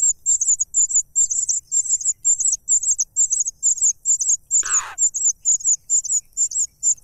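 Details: Cuckoo begging for more food while being fed, giving a continuous rapid series of shrill, high chirps, about two per second, with one brief lower rasping note near the end.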